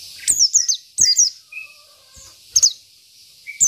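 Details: Isian-style song from a local Oriental white-eye used as a tutor: short clusters of two or three high falling whistles separated by brief gaps, with a few thin lower notes between.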